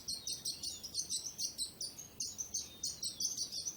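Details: Bird singing quick, high, sharp chirps in a steady stream of roughly four notes a second, over soft background hiss.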